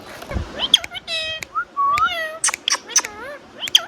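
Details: Indian ringneck parakeet chattering: a burst of slurred harmonic notes, rising and falling whistles, squeaky chirps and clicks in quick succession, with a brief low thump near the start.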